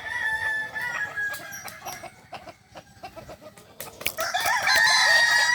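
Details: Kukuak balenggek roosters competing in a singing contest final, Ampang Kualo, Solok city, 8 September 2024. Drawn-out crowing opens the recording, a quieter stretch of clicks and tapping follows, then loud, multi-part crows return.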